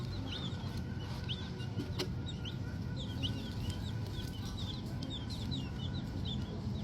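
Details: Several tiny green junglefowl chicks peeping softly, with high, short chirps scattered through the whole stretch and a single sharp click, over a constant low background rumble.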